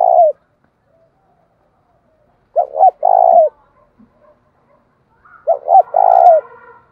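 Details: Decoy spotted dove cooing to incite rivals. A coo ending is followed by two full phrases of paired short hoots and a drawn-out buzzy note, the last overlapped by a faint higher chirping.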